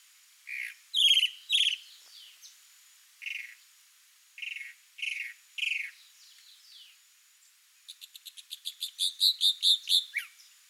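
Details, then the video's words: Male chalk-browed mockingbird (Mimus saturninus) singing to show off to a female: varied, high, scratchy phrases about a second apart, ending in a fast rattle of about a dozen bright repeated notes. "CHALK-BROWED MOCKINGBIRD male sings showing off to female"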